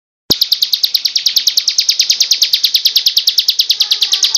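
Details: Bar-winged prinia, a recording used to train other birds, singing loudly in the fast "ngebrem" style: a steady rapid series of short, high, buzzy notes, several each second, starting abruptly and continuing without a break.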